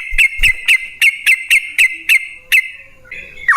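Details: Yellow-vented bulbul singing as a lure to prompt other bulbuls: a run of about nine bright, short notes repeated roughly every quarter second, ending in a brief lower twist, with faint low knocks.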